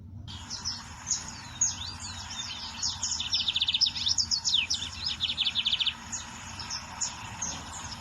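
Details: Lined seedeater singing in the wild: high whistled downslurred notes, then a fast buzzy rattling trill of repeated notes, followed by more scattered chirps and slurs over a faint steady background hiss.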